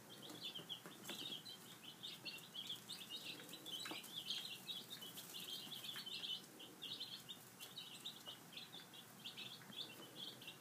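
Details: A group of five-day-old chicks feeding in the morning keeps up a steady, high chirping chorus of short peeps, with intermittent taps and scratching.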